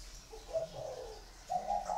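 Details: Brief soft cooing from a spotted dove, two low hollow phrases with a short gap between them.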